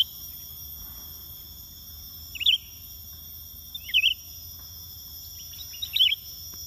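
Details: Greater green leafbird (cucak ijo) pikat lure call: three short, bright warbled phrases about two seconds apart, over a steady high insect-like whine.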